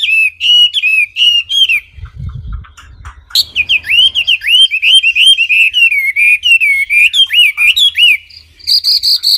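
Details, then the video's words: Wambi singing a clear song of bright whistled notes, each swooping down then up, in quick runs of about three per second, with a short pause and a low thump before the song resumes faster "Kicau Burung Wambi Jernih"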